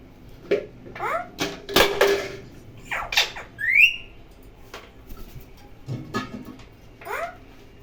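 A parrot gives a series of harsh squawks, chattering bursts and a rising whistled note, with irregular speech-like babble between calls in a small indoor room.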